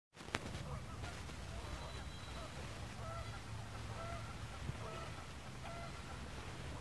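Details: Canada geese at the lake in El Dorado Park, Long Beach, California: a series of short nasal honks repeated every second or so through the middle and end, over a steady low rumble of background noise.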